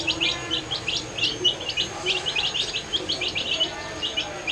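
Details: Colour-dyed baby chicks at their feed, giving quick, shrill peeps in clustered bursts, many voices overlapping.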